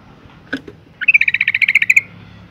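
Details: Breeding-condition female yellow-vented bulbul calling to attract males: one sharp note, then a fast rattling chatter of about a dozen bright, even pulses lasting about a second.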